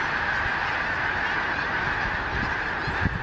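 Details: Vast flock of snow geese, Arctic migrants spending winter in Delaware, flying around Gordon's Pond, Cape Henlopen State Park, on a gray December day; thick chorus of yapping honks, steady throughout, with a small knock near the end.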